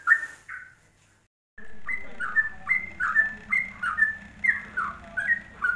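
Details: Yellow-vented bulbul, ropelan song for songbird tutoring: two brief phrases, a second of silence, then a steady stream of liquid whistled notes, each sliding down, repeated roughly twice a second over a low hum.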